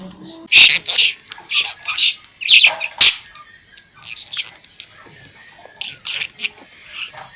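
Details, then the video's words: Pet budgerigar chattering in a small room, said to be talking in Kurdish: bursts of rapid, scratchy high-pitched warbles and clicks with short pauses, a few brief tonal squeaks between. "kürtçe konuşan muhabbet kuşu-Tûtî/çivîk bi kurdî diaxive"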